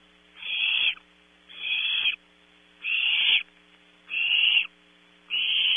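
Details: Barn owl owlets in a California nest cavity at Audubon Starr Ranch, competing for prey at 3 a.m.; five harsh, hissing screeches, each about half a second, repeat roughly every 1.2 seconds over a steady electrical hum.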